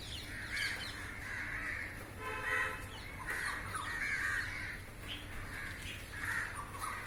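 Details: Many crows wheeling around a roof while feeding on airborne insects; repeated hoarse caws from several birds overlap continuously, with one brief tonal harmonic sound midway.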